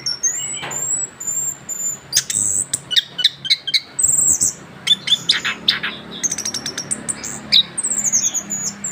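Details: Continuous rolling song of a young orange-headed thrush, recently moulted: thin high whistles open, then dense runs of clicks, chirps and slurred whistled phrases tumble on, some notes repeated in quick series.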